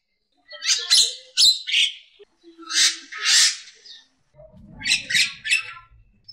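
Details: Champion Javan myna used as a tutor bird, giving slower, broad rasping notes in pairs, a low whistled note, then a few quick harsh bursts over a low rumbling buzz.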